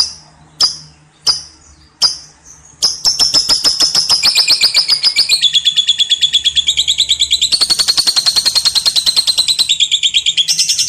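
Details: Lovebird singing the long ngekek style on a clear lure recording: a few separate sharp squawks, then a sustained, very fast, high chattering trill, shifting pitch slightly downward and back up, continuing without a break for about eight seconds.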